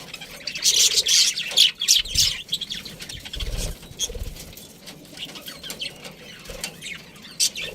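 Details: Pet budgie chirping in a loud scratchy burst over the first two seconds, followed by soft low thumps and sparse fainter chirps.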